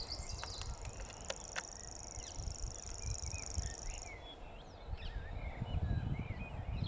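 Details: Reeling common grasshopper warbler, Totteridge Valley, 6 May 2017: a continuous high, sewing-machine-like mechanical trill holding one pitch for about four seconds, then stopping; sharp clicks near the start, other birds twittering afterward, low wind rumble.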